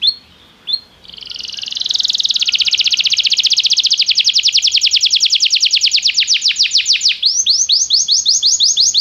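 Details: Belgian canary singing for song training: two short opening whistles, then a long, rapid rolling trill that swells in volume and changes halfway into slower, sharply falling notes.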